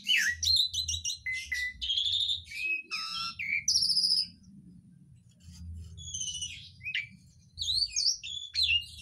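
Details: Asian pied starling pouring out mimicked phrases: quick chattering whistles and buzzy notes, a long bright whistle, a quiet gap with low hum, then looping slurred whistles return.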